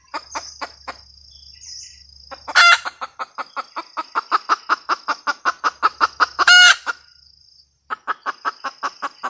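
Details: Cackling red junglefowl hen: long series of evenly spaced staccato clucks, twice rising into a loud, strained, nasal squawk, then a short gap and the clucking resumes; a thin high hum runs throughout.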